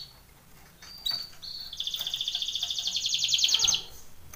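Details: Canary song meant for training, said to be a Belgian canary: a few short high whistles, then a steady, rapid, rolling high trill of evenly spaced pulses lasting about two seconds; faint background hiss.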